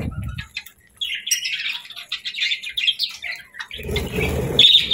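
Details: Happy budgie chirping: a bright run of quick, tumbling chirps and warbles, followed by rougher chatter with a sharp high squeak at the end.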